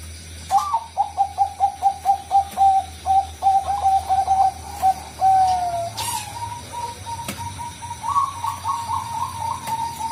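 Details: Zebra dove of the Bangkok type (perkutut Bangkok) as a lure: a fast run of sharp, pulsing coos ending in a drawn-out note, then softer, more blended cooing after a click.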